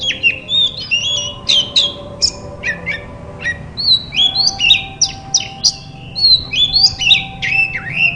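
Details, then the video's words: White-rumped shama song meant to prompt silent shamas to start singing; loud varied phrases of sharp whistles, sweeping upslurs and downslurs and chattering notes, delivered in rapid bursts with short pauses, and a faint steady hum beneath. "Burung kacer terapi dari tidak bunyi langsung saut dengan suara ini"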